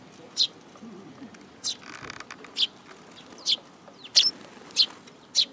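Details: Sparrows coming to take food from a hand at a Tenmangu shrine on 7 July 2022; short sharp chirps about once a second, irregularly spaced, with a brief rustle of wings partway through.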